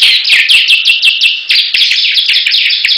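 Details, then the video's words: Competing Bar-winged prinias sing vigorously against each other: a dense, continuous stream of high, sharp, downward-sliding notes repeated quickly, with a brief break near the middle. "Perang Ciblek Gacor"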